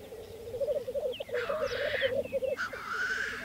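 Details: Black grouse displaying at a Saaremaa spring lek in 2014. Rolling bubbling notes, then a loud rasping hiss and a second short hiss before the bubbling resumes softly.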